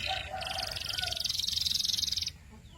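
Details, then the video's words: Canary singing a sustained, buzzy high trill for about two seconds, with a fainter lower warbled phrase beneath it and a soft low hum in the background. "Sweet Canary Chirping Sounds"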